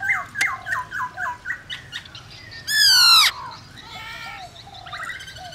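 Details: Song of a black-throated laughingthrush, used to prompt wild-caught birds to sing: a series of short descending whistles, then a loud harsh, buzzy burst lasting about half a second, followed by quieter warbling notes.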